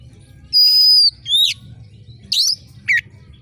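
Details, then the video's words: Short burst from an oriental magpie-robin's shrill, screeching competition-style song: a sustained high whistle, a steep downward swoop, then two harsh buzzy notes, over a quiet low rumble. "suara KACER GACOR JERIT TAJAM‼️cocok mendongkrak emosi kacer di gantangan"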